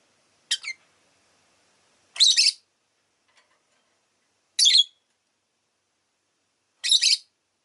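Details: Rosy-faced lovebird repeating short, harsh, high chirps roughly every two seconds, with silence between the four bursts.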